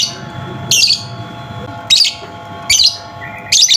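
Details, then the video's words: Lovebird chirps used to stir a silent lovebird into singing: four sharp high chirps close together, under a second apart, over soft background hum. "pancingan Lovebird macet bunyi"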